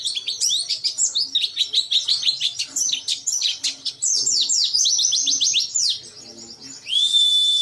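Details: Oriental white-eye in an agitated state, beak open, pouring out a rapid, busy twitter of high, sharply falling chirps, about three a second, running almost without pause before ending in a long, flat, sustained whistle.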